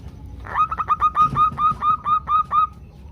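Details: Female zebra dove call to a male, used to coax males into calling. Quick stuttering notes speed into a steady series of about nine clear, resonant notes at the same pitch, roughly two per second.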